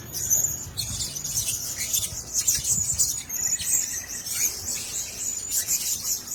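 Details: Several caged blue-crowned hanging parrots twittering almost without pause: high, thin, sibilant squeaks and chirps overlapping in a steady chatter that swells and dips slightly over six seconds.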